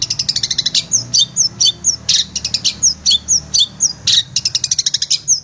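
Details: Long-tailed shrike singing as a training recording for caged birds: sharp, high chips in rapid rhythmic runs alternating with short downslurred whistles, about two notes a second, faint low hum beneath.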